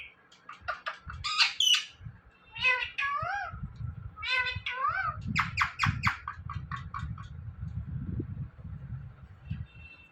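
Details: Indian ringneck parrot chattering indoors, mimicking words: scattered bursts of clipped, harmonic syllables and meow-like calls spread over several seconds, quieter toward the end, amid steady low background rumble.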